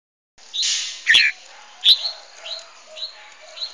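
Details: Red-whiskered bulbul song on a hillside, likely used as decoy song for trapping: bright, liquid chirps and short warbled phrases at mid-high pitch, about every half second, with a brief breathy rustle at the start; Red-whiskered bulbul.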